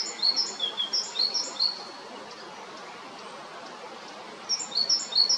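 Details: Male great tit at Jarun, Zagreb, Croatia, recorded March to May 2022: two bursts of sharp, high, ringing notes stepping between pitches in quick repeated phrases, about two and a half per second, separated by a pause, over a faint outdoor hiss.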